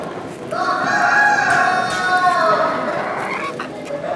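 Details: Old English Game bantam, modern-type black with golden hackle, shown at a poultry show in Woincourt, France. One drawn-out harmonic crow lasts about three seconds, rising slightly, then falling away at the end, over indoor hall chatter.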